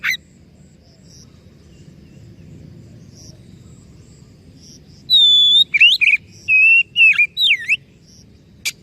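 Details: Oriental magpie-robin singing, used to rouse a stalled, stressed bird back into full song: quiet opening, then a loud run of bright whistles with rising and falling slurs and short trills over faint low background hum.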